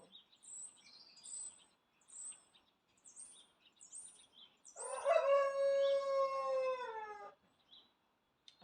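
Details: In a UK garden in spring, a rooster gives one long, drawn-out crow of about two and a half seconds after a run of thin, high chirps from small birds repeating about once a second; neighbours nearby.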